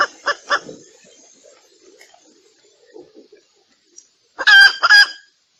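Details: Female red junglefowl calling to attract males, a recording used as a lure for decoy trapping: a few short soft clucks, a quiet stretch of faint low murmurs, then two loud harsh, rasping calls rich in overtones near the end.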